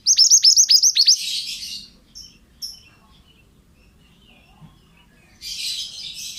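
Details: Male pied bushchat song used to train other birds, opening with a rapid burst of about six high, downward-hooked notes, followed by a buzzy rasp, a long near-silence, and more buzzy sound at the end.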